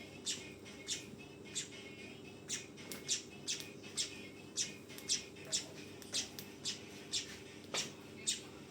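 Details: Young weaver producing a busy run of harsh, high chirps, some doubled, spaced under half a second apart, with a low steady hum throughout.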